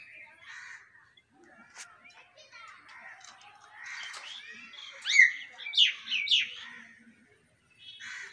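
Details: Talking common hill myna chattering in speech-like syllables with clicks, building to three loud, harsh, rising calls in quick succession before trailing off into soft murmurs.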